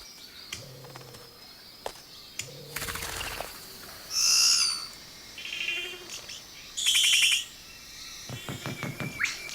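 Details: Male Vogelkop bowerbird, a skilled mimic, sings courtship song at his bower to a watching female: harsh high buzzes, clicks and drawn-out whistles, broken by sharp clatters and short pauses.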